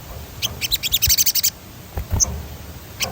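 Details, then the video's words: Crimson sunbird (sogon) in active 'gacor ngerol' rolling song, played to stimulate other birds to sing: a rapid high-pitched trill of evenly spaced notes for about a second, then isolated sharp chips, with low thumps of handling noise. "Suara ransangan bunyi sogon gacor ngerol"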